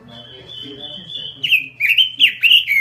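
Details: Robin kept in a small cage sings a sustained high whistle followed by quick, loud, twisting whistled phrases, against soft background chatter.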